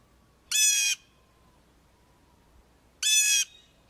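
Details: Blue Jay jeer calls, loud non-musical contact, flocking or alert calls used to gather jays to mob predators such as hawks: two harsh, nasal jeers about two and a half seconds apart, each roughly half a second long, with a faint thin tone between.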